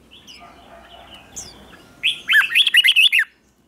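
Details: Red-whiskered bulbul singing in the morning as part of contest-song training; faint chirps lead into a bright, rapid phrase of about seven warbling whistled notes that climb and fall.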